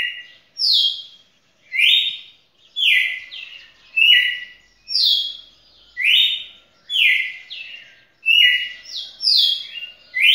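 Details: Red-cowled cardinal, a champion singer beating its own record with a song lasting past two minutes: clear whistled two-part phrases, each dropping or jumping in pitch, repeated roughly once per second over a quiet background.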